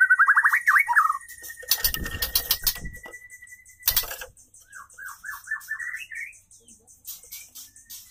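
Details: Female white-rumped shama courting a male: a fast quavering trill, a long flat whistle, then slurred descending notes rising into a short trill, broken by loud clattering noises.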